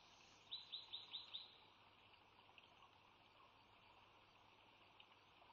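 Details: Bald eagle at the Sauces nest on March 3 2017, the resident female laying the first egg of her second clutch. A faint quick series of five high, thin chirps falls away after about a second, then steady background hiss.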